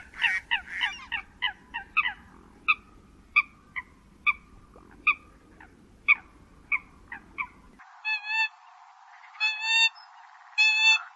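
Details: Eurasian coot calls with short nasal honking notes at about two per second, then a few louder, clearer honks near the end; the recording is offered as a lure for trapping birds at night.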